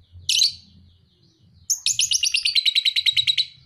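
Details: Pale-headed lovebird, two and a half months old, raised as a fighter: one loud screech, then a quick rhythmic series of buzzy descending chattering notes.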